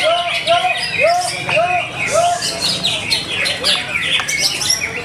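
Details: Greater green leafbird singing at a bird singing contest in Bekasi, Indonesia: rapid varied chirps and arched whistled notes repeating roughly every half second, with other birds and crowd chatter mixed in.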